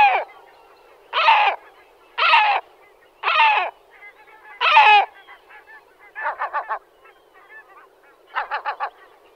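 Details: Great black-backed gull calling: a series of harsh, harmonic, slightly descending notes about once a second, then quicker stuttering bursts of short clipped notes near the end, over a quiet background.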